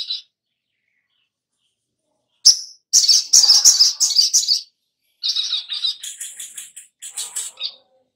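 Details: Little spiderhunter, local name sogon, as a lure for singing: after a quiet gap, a sharp note leads into fast rattling bursts of high, scratchy notes with short breaks.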